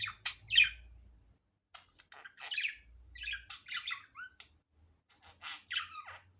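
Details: Budgerigar at home in an unedited natural recording, giving scattered sharp squawks and quick buzzy chirps in irregular short groups with pauses between, against a quiet low hum.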